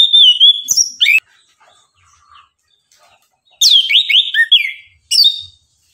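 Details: Morning song of the orange-headed thrush (anis kembang), intended to excite other birds into singing: three bursts of loud, tumbling high whistles and sweeps separated by short quiet gaps.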